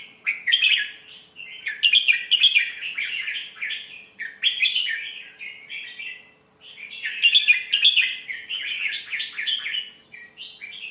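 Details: Red-whiskered bulbul song with sweet phrasing, played to teach young birds: rich warbled chirping phrases in bursts about every two to three seconds, with a quiet pause near six seconds and a faint steady hum beneath.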